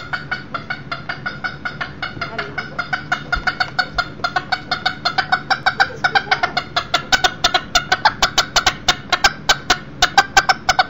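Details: One-year-old Millefleur d'Uccle rooster, a younger beta roo, visiting indoors in a house where a broody hen with chicks and a second hen are kept; rapid broadband clucks repeat in a dense stream that quickens and grows louder toward the end.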